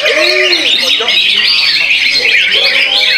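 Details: Greater green leafbird (Chloropsis sonnerati) at a songbird competition practice in Muara Teweh pours out a dense, rapid song of high, sweet warbled notes without pause; low murmuring voices faintly beneath.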